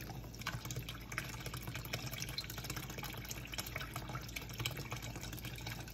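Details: Water runs steadily from a tap into a sink in a small indoor room, with constant splashing and dripping throughout and no animal voice heard.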